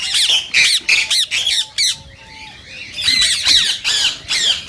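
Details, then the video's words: Indian rose-ringed parakeet calling, stated to encourage other parakeets to mate: a fast burst of loud grating screeches, a quieter gap with soft level whistles, then another rapid volley of harsh falling cries. "صوت ببغاء الدرة الخضراء"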